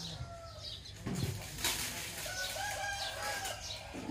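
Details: Rooster crowing in the morning: a drawn-out harmonic crow of about a second, steady then trailing off, following a short flap-like burst, with small birds chirping in the background.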